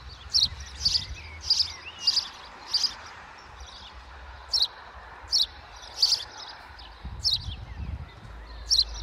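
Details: High, bright chirping notes from birds in a school yard come in bursts every half second to a second, with pauses between groups, over a faint low hum of outdoor noise.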